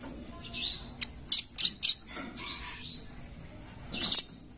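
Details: Velvet-fronted nuthatch, called rambatan paruh merah locally, used as a lure sound: a few thin, high chip notes in quick pairs and triplets, with soft hissy chirps and a quiet background.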